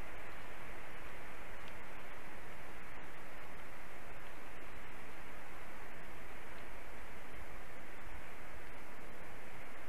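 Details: Constant dense rushing noise, like strong wind or a distant waterfall, unchanging throughout.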